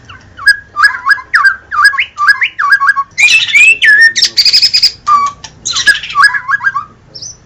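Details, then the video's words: White-rumped shama song in full gacor style: a steady string of short twisting whistled phrases, about three per second, then a harsh buzzy rattling passage mixed with high trills before clear whistles return. "Murai batu DIJAMIN LANGSUNG NYAUT dan GACOR dengan suara murai batu terbaik ini"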